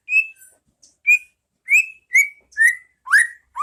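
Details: Training song of a white-rumped shama for caged birds to copy, ngeplong style: spaced bright whistled notes roughly every half second, the final ones sliding upward.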